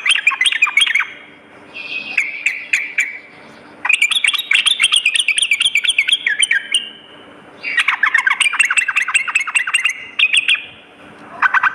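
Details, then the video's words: Vigorous sooty-headed bulbul master song used as a lure, morning and night: alternating bursts of fast chattering trills and steadier held notes, broken by brief pauses, the phrases busy and tumbling. "suara pikat dan masteran burung trucuk gacor pagi dan malam"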